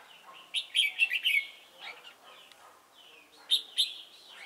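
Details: Decoy red-whiskered bulbul singing during a trapping session at Chùa Hương, Vietnam, 28 November 2017; two clusters of sharp, clear whistled notes separated by quieter slurred warbles.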